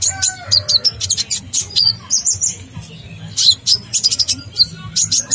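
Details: Sunbird in full song for bird training, with long rolling phrases: clusters of piercing high chips and short twitters, a few lower whistled notes, and quiet background music beneath.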